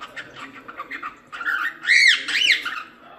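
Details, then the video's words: A cockatiel gives soft chirps, then two loud, arched whistles that rise and fall, about half a second apart. "Canto De Calopsita | Calopsita Canto Original | Calopsita Piando | Calopsita Chamando"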